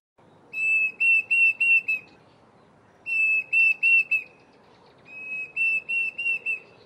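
Diederik Cuckoo giving clear, high whistled phrases of four or five quick notes, repeated about every two and a half seconds over faint background hiss.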